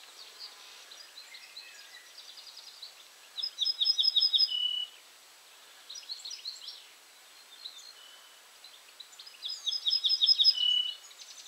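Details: An Ortolan bunting sings at Julków on 3 June 2017, giving two short phrases about six seconds apart. Each is a quick run of ringing repeated notes ending on a lower, drawn-out note, with faint chirps of other birds between phrases.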